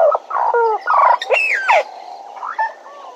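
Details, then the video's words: Bennett's woodpecker at Djuma: a brief, loud series of nasal, buzzy notes with bending pitch, the strongest sweeping down near the middle, fading into softer background calls. "Bennett's Woodpecker at Djuma"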